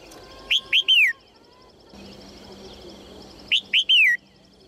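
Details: Female red-whiskered bulbul calling to get males singing: two phrases about three seconds apart, each two clipped rising chirps and a longer sliding whistle, over a low steady hum and distant chirps.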